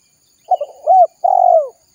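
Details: Spotted dove lure call for attracting wild doves. A brief stutter of soft notes leads into an arched coo, then a long, gently falling coo with a rapid purring texture.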